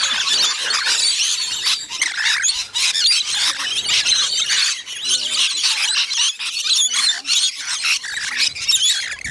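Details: Rainbow lorikeets crowding to be fed on the north-east side of Magnetic Island, Queensland, Australia, keeping up a steady shrill screeching chorus, dense and unbroken, with brief louder bursts.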